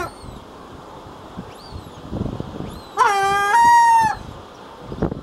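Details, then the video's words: A Herring gull calls in the breeding colony with one loud, drawn-out, nasal wail of about a second. Faint high arched whistles come before it and rustling sounds around it. "Life In The Colony - The life of the Herring Gull"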